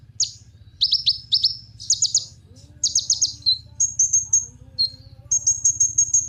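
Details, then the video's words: Kolibri ninja sunbird singing, played to stir other birds into song: sharp, very high chirp groups in quick succession, then longer thin trilled phrases toward the end, with a faint low background hum. "Kolibri Ninja Pancingan Penggacor Burung"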